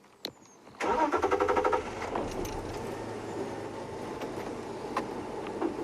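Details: A click comes first, then a car engine cranks in a fast rhythmic stutter, starts, and settles into a steady idle, with no animal sound heard.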